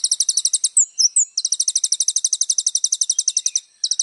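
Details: ['Little spiderhunter trilling almost without pause. Very high, rapid, rhythmic pulses run throughout, briefly interrupted by a few sliding notes, and there is no other sound.']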